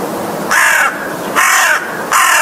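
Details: Three loud, rasping caws from an American crow, each lasting under half a second, spaced about eight-tenths of a second apart over a steady hiss.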